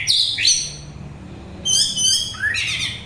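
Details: Song of an orange-headed thrush, used as calming therapy and as bait to attract birds: two bursts of high, descending, rich whistled notes separated by a short gap, with a faint low background hum.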